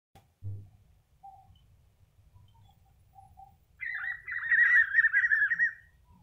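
Spot-backed Puffbird: after a quiet start with a few soft notes, a loud, fast, wavering trill of mid-high notes runs for about two seconds.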